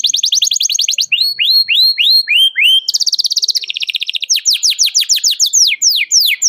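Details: Canary in full song, calling a rival and used to train young canaries to sing: loud, continuous high trills changing every second, from fast buzzy rolls to repeated rising-falling swept whistles and rapid chirps, with no other sounds.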